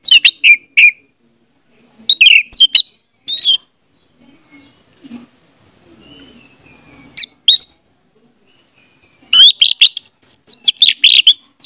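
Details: Orange-headed thrush song used to coax a silent bird into singing: clusters of loud whistled, slurred notes, a long quiet gap with faint low rustling, then a dense rapid run of varied notes.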